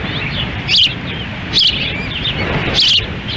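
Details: Female osprey feeding chicks in wind at a nest in Lolo, Montana, June 10, 2017, while the male stands by; three evenly spaced high piercing chirps with faint twitters between, over low wind.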